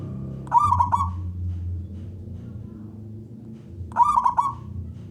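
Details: Local wild Zebra dove, a loud-voiced singer, calling to lure other doves into singing; two short bursts of stuttering, rolling coos about three seconds apart, over a steady low hum.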